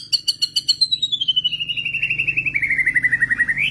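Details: White-rumped shama, with other shamas joining in response to a played master recording; a fast trill of repeated notes slides steadily downward in pitch for nearly four seconds, then ends with a brief upward flick.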